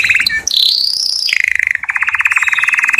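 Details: Canary song meant to draw females for mating, opening with a high sustained whistle, then dropping into rapid rattling trills repeated many times per second.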